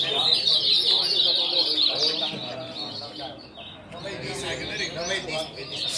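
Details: Caged ultramarine grosbeaks, a large group, pour out overlapping sweet warbled phrases. The chorus thins briefly midway, then swells again, with a man's voice commenting throughout.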